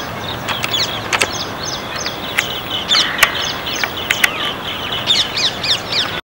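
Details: Many green bee-eaters in a tree in a Gurugram neighbourhood, India, giving loud peeps: short, high, rolling notes repeated in quick overlapping series, with sharp clicks and a steady background hum.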